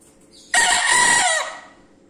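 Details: Loud single crow from a Bekisar chicken, sudden and hoarse, lasting roughly a second before trailing off downward, with faint high chirps just before it and a steady low hum underneath.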